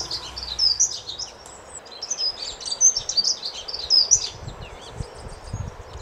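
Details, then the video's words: A Dunnock sings a rapid, high, jingling warble in short bursts, with a faint low rumble beneath. "LE CHANT DE L'ACCENTEUR MOUCHET / DUNNOCK SINGING"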